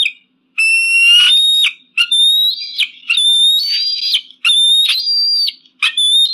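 Eagle screams: five or six loud, piercing whistled notes, each about a second long, level or slightly rising, with short gaps between them.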